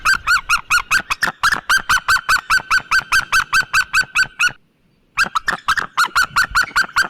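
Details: Rapid yelping series from a white-tailed eagle, bright barking notes repeated briskly, a brief pause midway, then the same urgent yelps again.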